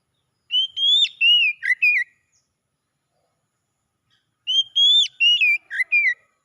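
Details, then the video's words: Oriental magpie-robin recovery song: the same whistled phrase given twice about four seconds apart, each with rising whistles, a long falling note and quick dipping slurs, with silence between. "KICAUAN PEMULIHAN KACER MACET CEPAT GACOR"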